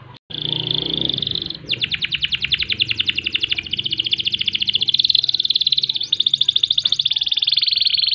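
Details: Canary in full gacor song, ngerol rolling style for tutoring birds: a buzzy note then a long, dense rapid trill of repeated notes shifting slightly in pitch, over a noticeable low rumbling background.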